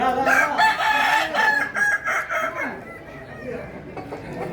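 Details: Kukuak Balenggek cocks, an endemic West Sumatran breed, crowing at a contest in Solok: loud, choppy stepped crows overlap during the first three seconds, then fade into quieter calls and crowd sounds.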